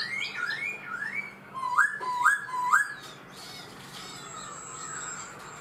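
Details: Caged black-throated laughingthrush, kept four months, singing a series of clear rising whistled notes, about seven in quick succession over three seconds, then a softer high thin whistle and quiet background.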